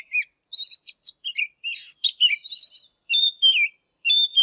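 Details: Oriental magpie-robin in fired-up morning song, singing while displaying: a rapid run of bright whistled notes and short chirps, some rising and some falling, broken by brief pauses, then clear sustained whistles near the end.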